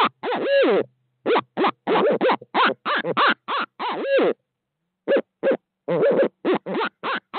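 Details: Barred owls calling at dawn in Midtown Tulsa after a second owl joins: bursts of fast, uneven hoots mixed with drawn-out, quavering cackles, a brief pause, then more clipped hoots in quick clusters.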